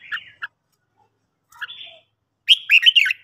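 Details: Red-whiskered bulbul morning song for training: a few scattered clipped calls and a slurred note, then a loud, quick phrase of bright, rolling chirps at the end.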